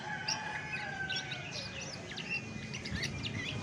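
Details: Original voice of a chestnut-backed thrush: soft, rapid high twittering notes and short whistled loops, fairly quiet against steady background noise and a faint constant tone.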